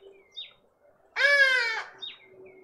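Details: Hornbill in a suburban garden in Pretoria, South Africa, near a feeder, giving a single strong, rasping, tonal call of about half a second. Faint thin chirps from small birds come just before and after, with a soft background drone.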